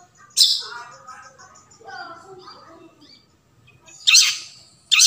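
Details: Long-tailed shrike heard in the forest: one harsh rasp, then soft low warbling and thin whistles, then two more loud grating notes close together.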